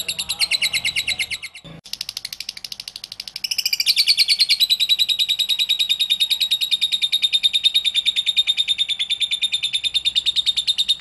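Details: Lovebird singing a long ngekek trill, meant to provoke other lovebirds into song: a fast, steady rattle of high chattering notes, around three per second, running unbroken after a brief pause near the start.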